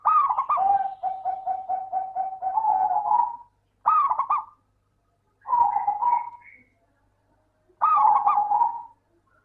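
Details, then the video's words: Zebra dove, local type, singing as a lure for lazy doves: a long run of rapid, evenly repeated staccato coo notes, followed by three shorter bursts that each open with a sharp upward-flicking note. "Suara burung Perkutut Lokal - PINTAR PANCING PERKUTUT MALAS BUNYI"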